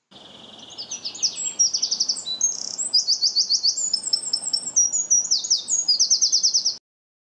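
Eurasian Wren singing a loud, fast, high-pitched song of varied notes and rapid trills, about six seconds long, with no other sounds.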